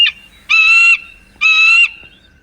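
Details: An adult wild Bald Eagle at its nest in Quechee, Vermont, where a pair raises an eaglet hatched April 24. It gives two drawn-out, high, squealing notes about a second apart, rich in overtones, over a faint low hum.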